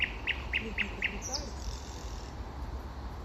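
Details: Common nightingale in spring giving five loud, evenly repeated chirped notes, then a brief higher whistle fading out, over low rumbling background noise.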